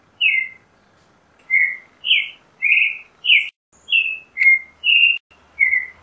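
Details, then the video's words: Creamy-bellied thrush (Turdus amaurochalinus), zorzal chalchalero, singing a run of short, clear warbled phrases, each a slurred falling whistle, given at an uneven pace with brief pauses, about nine notes in six seconds; background otherwise quiet. "Zorzal Chalchalero Canto - Creamy-bellied Thrush Song - Turdus Amaurochalinus"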